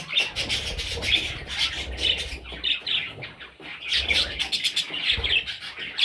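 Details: Parrot chicks chirping almost without pause, a busy chorus of high squeaky notes rising and falling in loudness, with faint low bumping below.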